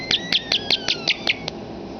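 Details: Talking pet common starling indoors: a rapid series of about eight sharp, evenly spaced clicks with a thin descending whistle running beneath them, over quiet room noise.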